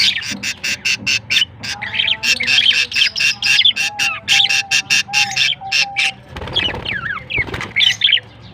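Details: Young budgerigars, recorded September 22, 2023, give fast runs of rasping chirps, then squeaky rising and falling squawks near the end, over a soft sustained tone in the background.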